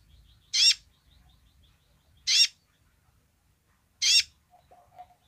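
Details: Sunbird called kolibri ninja giving its basic song: three harsh, buzzy high notes evenly spaced about one and three-quarter seconds apart, followed by a faint mid-pitched twitter at the end.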